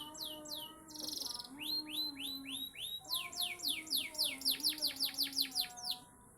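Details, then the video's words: Song of a panda canary: quick downslurred whistles, a brief buzzy burst, then an accelerating trill of sharp repeated notes that rise and fall in loudness, with a soft low steady hum beneath. "kenari panda"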